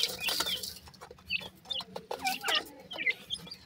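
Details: Fainter, sparser peeping from grey francolin chicks: short, high, falling notes spaced irregularly, after an opening stretch of rustling noise.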